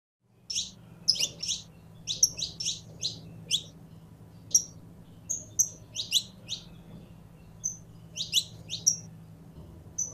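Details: Saffron finch kept by a bird keeper, being warmed up to sing: bursts of sharp, high chirped notes, often in quick doubled or tripled clusters, separated by short pauses, over a steady low hum.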